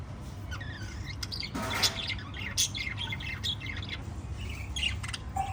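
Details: Chattering lovebirds, five together, trade short high chirps and a few harsher squawky notes, densely overlapping above a steady low hum.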